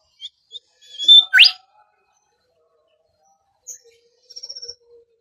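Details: Bimoli song played as a bird-training lure: two short high chips, a sustained piercing whistle ending in a steep upsweep, then a soft chip and a quick rattling trill.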